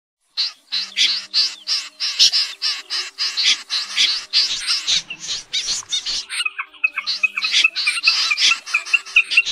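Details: Common Snipe calls used as a night net-trapping lure, August 2024: harsh, rasping scaap calls two or three times a second. Thinner whistled notes join near the end.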